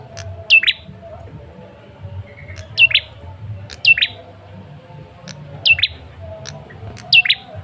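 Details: Male ashy tailorbird calling as a lure to prompt a response: six clear double chirps, each sliding sharply downward, spaced about a second apart, over quiet low hum.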